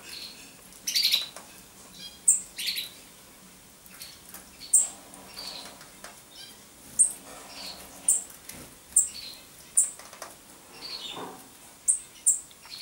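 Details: Common chaffinch repeating sharp, very high clipped call notes at uneven intervals of one to two seconds, mixed with a few softer lower tweets and faint clicks.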